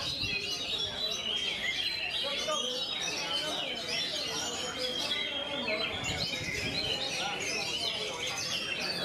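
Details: Oriental magpie-robin in rolling 'ngerol' song with closely spaced phrases: long run of sharp whistles, trills and scratchy chips, nearly nonstop, with a brief low thump near the middle and faint ambient murmur throughout.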